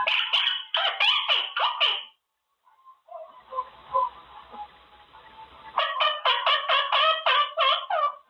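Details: Pet Quaker parrot practising words from its cage: strings of short, harsh chattering notes repeated briskly, a quieter stretch with background hum, then another fast chattering run.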